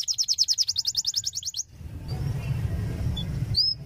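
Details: Canary tutor song played to stimulate and train young canaries: a rapid, high trill of evenly repeated notes for about a second and a half, then a low rumbling background with a few faint thin whistles.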